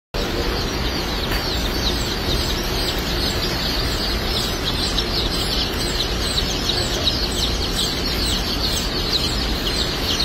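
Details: White Yokohama and Fayoumi chickens kept at a US hatchery, a flock calling together: dense, overlapping high chirps and short clucks pour out without pause over a steady low rumble of background noise.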